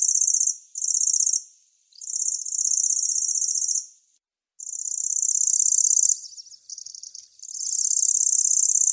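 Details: High, buzzy reeling of a grasshopper warbler (Locustella), broken into bursts of one to two seconds with short gaps between them. One softer, uneven stretch falls between the longer runs.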